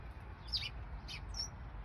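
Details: Green parakeets, common around southeast London, give three short, harsh, squawky calls about half a second apart near a bowling green and hedgerow, over a steady low rumble of wind and distant traffic.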